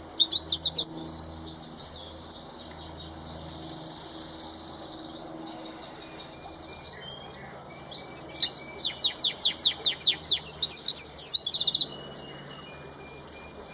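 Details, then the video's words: Goldfinch mule singing: a brief high twitter, then a soft thin whistled passage, then a loud burst of rapid, evenly repeated ringing notes lasting about four seconds, with a low hum beneath. "Goldfinch Mule in full Song"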